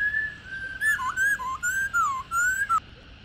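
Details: Female black-throated laughingthrush, mature and wild, giving "ro" calls used to excite captive males: a steady whistle followed by a rolling sequence of wavering, dipping whistled phrases ending abruptly.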